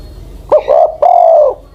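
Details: Spotted Dove decoy bird over ten years old: one deep phrase, a clipped double note running into a long, even, slightly descending coo.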